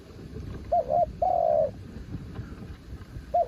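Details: Spotted dove used as a decoy, described as a mountain bird, calling in strong wind: a short double coo and a long level coo, then the next phrase starting, over a noisy low background.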